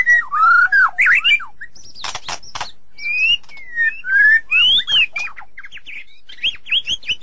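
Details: Singing white-rumped shama, known in Thai as nok binlha dong, delivering looping whistled phrases broken by loud clicking bursts and short pauses, each phrase different in pitch and shape.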